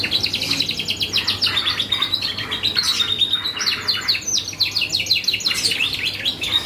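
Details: Canary in full, energetic song used as a lure to provoke other birds into responding: rapid repeated chirps and trills high in pitch, with a sustained whistled note threading through, continuous throughout.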